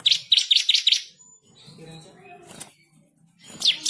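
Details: Bar-winged prinia in a tutor recording of energetic, fierce song with rolls and sharp bursts; four quick high downslurred chirps, then a quiet pause with faint background, and two more sharp notes at the end.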